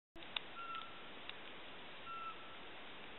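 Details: Eurasian pygmy owl at Žaškov, Dolný Kubín, Slovakia, giving two soft, even, whistled notes about a second and a half apart over a steady hiss, with a few faint clicks.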